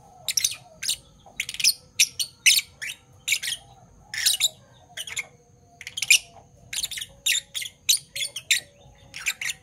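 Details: Fischer's lovebirds, a Parblue Violet and a Parblue Turquoise, calling in the morning with a steady stream of short, scratchy high chirps, roughly two or three per second, over a quiet indoor hum.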